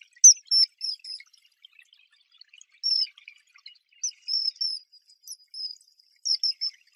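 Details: A ringed kingfisher (Megaceryle torquata) in Brazil gives high, sharp notes in quick clusters of three to five, with short pauses between bursts, against a quiet background.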